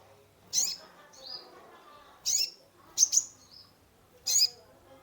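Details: Sunbird, known locally as kolibri ninja, kept caged and singing to rouse a stressed bird: loud, sharp high notes with short thin whistled slurs between them, about one phrase each second.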